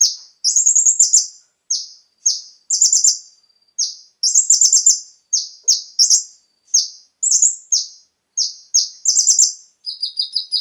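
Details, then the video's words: Konin singing continuously as a lure for captive birds: shrill falling notes interleaved with brief rapid trills, ending in a thin wavering series of chirps. "PANCINGAN suara burung KONIN agar langsung GACOR dan ikut NEMBAK FULL ISIAN"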